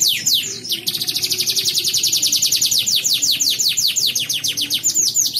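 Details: Contest canary from Pontianak, West Kalimantan, delivers a long unbroken trill: after a brief sweep, dozens of quick downslurred notes repeat in a steady, rattling high-pitched roll for over four seconds.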